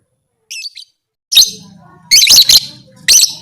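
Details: Lovebird voice used to rouse other lovebirds to fight: a soft, thin twitter, then louder grating high chirps in three bursts, the middle one a quick triple note, with a faint low hum behind.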